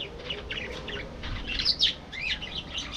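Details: Aviary colony of budgies giving busy chatter, a stream of short chirps and buzzy warbled notes, several birds overlapping, louder bursts near the middle and end.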